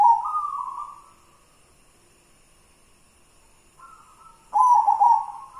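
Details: Perkutut putih, a white zebra dove of local origin, in manyura-style song: a rolling coo fading out, a long silence, then a faint level coo followed by a strong trilled burst.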